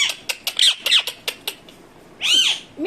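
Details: Pet Indian ringneck parakeet, a talking parrot, calling with a series of short sharp clicks and squawks, then a louder drawn-out harsh screech and a final clipped note.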